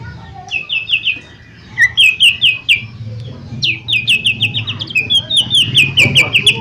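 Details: Long stuttering run from a lesser green leafbird, used as a lure to trigger song: many short, sharp, buzzy-edged whistles repeated in quick rhythmic series, nearly continuous, with faint low background noise.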